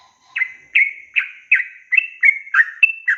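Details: Yellow-vented bulbul in a long rapid 'ropel' song meant to teach young birds: short, slurred chirps with ringing tails, about three per second, after a brief quiet start.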